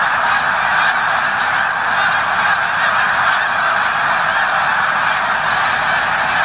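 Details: Thousands of voices from a migrating snow goose flock at Victoriaville, November 2018, blend into a loud, steady honking chorus with no pause across the whole stretch.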